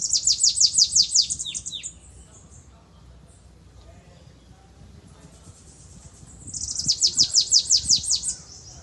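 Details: Caged canary singing in Belgian 'cantoria corrido' style with a distinctive 'pitiu' note: two bursts of rapid, high, descending trilled notes, each a fast even rattle lasting about two seconds, separated by quiet with faint background hum.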